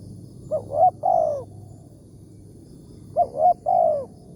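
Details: Wild spotted dove with a big voice of the 'tarik akar' style, targeted in a morning trapping session with a decoy bird. It gives two phrases of three mellow coos, a short note then two longer, falling ones, with a pause between phrases.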